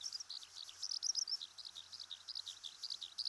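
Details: In Japanese farmland and grassland, a Eurasian Skylark pours out a fast, shrill torrent of chirps about four per second, some notes buzzy, others clear and slurred, in an endless varied babble over quiet ambient noise.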